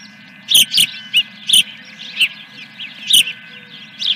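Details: Osprey calling from a ranch nest camera at Dunrovin Ranch, 3 May 2021, early morning, with fish brought in: loud, clipped high cheeps repeated about once a second, unevenly spaced, steady hum beneath.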